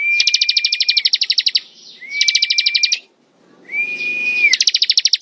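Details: Ciblek, or bar-winged prinia, in ngebren-style song: dense, high, rattling trills alternating with steady flat whistles that bend down at the end, three phrases in quick succession with brief pauses between.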